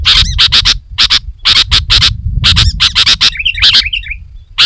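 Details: Bold, rapid chatter of a sooty-headed bulbul for luring wild bulbuls: clusters of harsh broadband notes in quick bursts, broken by a brief run of fluttering whistles near the end, over faint low rumble.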